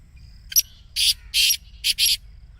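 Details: Black Francolin in excited 'masti' voice, a call for setting off caged francolins: a single short click, then four coarse, hissing, grating notes, the last two paired, ending in near silence.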